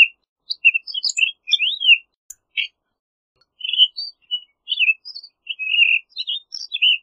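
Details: A Townsend's solitaire pours out loose, rambling song. Bright warbled notes come in irregular clusters, some sweeping up or down, with a pause of over a second midway before the warbling resumes.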